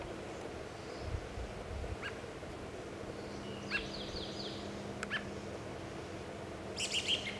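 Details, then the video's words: Adult American robin feeding and chirping in Kingston, WA: a few short, sharp chirps spaced a second or two apart, with one quick descending run, over a steady low hum. "American Robin (Turdus migratorius) adult, feeding and chirping"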